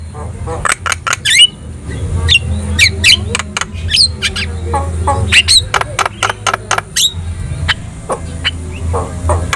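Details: Javan myna tutor song to prompt other birds to respond: a busy mix of sharp clicks, squawks and short chirps in irregular bursts over a low background hum.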